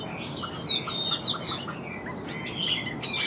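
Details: Chinese hwamei known for tireless singing: a soft series of short evenly spaced notes under higher thin whistled slides, fairly quiet overall.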